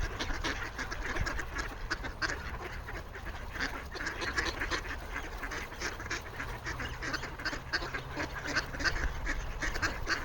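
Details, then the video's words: Many ducks calling for food on a frozen pond in Toronto, Canada, on 28 January 2025: a dense, continuous chorus of overlapping short nasal quacks and chatter, with a steady low rumble underneath. "Ducks making noise for food on the frozen pond"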